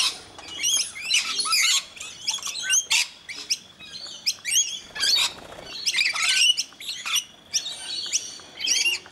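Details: Rainbow lorikeets being hand-fed in Mt Gravatt, Brisbane, Australia, with one scaly-breasted lorikeet among them; a busy flock chorus of shrill, screechy chattering and squawks overlapping in bursts throughout.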